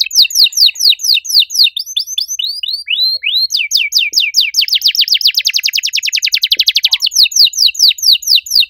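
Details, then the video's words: Canary singing loud and vigorously in a distinctive cengkok style: spaced swooping notes build into an accelerating, dense rattle of rapid repeated notes, then ease back into slower sweeps. "Kenari gacor suara nyaring cengkok unik"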